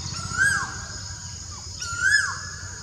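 Blue-faced Malkoha giving two mid-pitched slurred notes that rise then drop, about a second and a half apart, over a steady high insect hum and low rumble.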